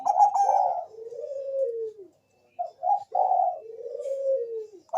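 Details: Lure song of a zebra dove, Bangkok type, meant to get other doves singing. Stuttered bright notes give way to a long, soft, falling coo. Brief clipped notes and another drawn-out mellow coo follow.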